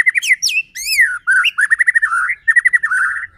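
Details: White-rumped shama singing as a lure to provoke rival shamas: loud, rich whistled phrases with rising and falling slurs, then rapid trilled runs of repeated short notes in two bursts.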